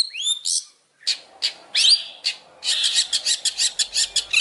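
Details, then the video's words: Champion-style Long-tailed shrike master song used to train other birds: a few upslurred whistles and a short pause, then scratchy notes and a rapid, steady burst of harsh, buzzy chattering. "masteran cendet juara"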